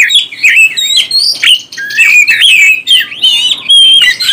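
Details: Oriental magpie-robin singing to rouse other birds, with sweet whistled phrases, fast trills and sliding notes flowing together in a lively, unbroken stream.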